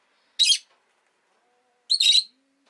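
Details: Rosy-faced lovebirds, two pet birds clustered at an entrance, let out two loud, grating shrieks about a second and a half apart, the second longer and broken, with a faint low hum between.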